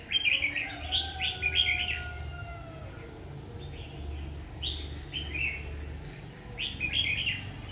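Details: Red-whiskered bulbul singing during trapping: repeated bursts of rich, choppy whistled phrases in clusters every couple of seconds, with a thin drawn-out whistle and low engine-like hum in the background.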